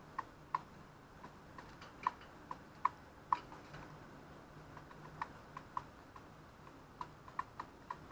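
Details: A Daurian redstart appearing on a balcony in January gives dry, clicking tack notes at an uneven pace of roughly two per second, against quiet background hiss.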